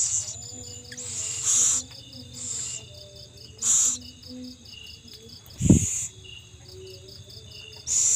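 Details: Owl feeding its young; repeated harsh hissing bursts every second or two, a low thump partway through, and cricket chirping throughout.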